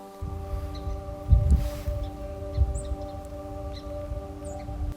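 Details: A steady electric-like drone with layered tones runs throughout, over low rumbling thumps and handling noise, with no clear animal calls.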